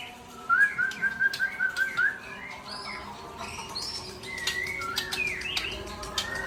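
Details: White-rumped shama, known locally as murai Aceh, giving a run of clear, evenly repeated whistled notes on one pitch, then a quieter gap and a few higher rising whistles amid clicks and background noise.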